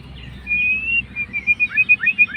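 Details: Fighter-type white-rumped shama baiting a rival with song: a drawn-out level whistle followed by a rhythmic run of short rising notes, about eight in one second, clear and loud.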